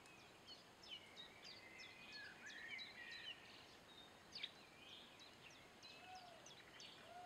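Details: A pair of hawfinches giving dense runs of short, sharp, high-pitched tick notes at an uneven pace, mixed with faint whistled phrases from other birds against constant background hiss.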